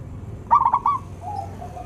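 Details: Zebra dove of the local type, melodious, singing steadily, recorded as a lure for reluctant doves: three quick staccato cooing notes, then a fainter lower trailing coo, a single brief phrase.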